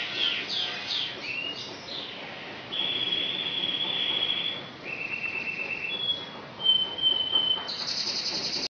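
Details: Asian pied starling song mimicking magpie-robin and canary: a string of long, steady, pure whistled notes at shifting pitches, some held over a second, opening with brief chattering and ending on a high sustained whistle.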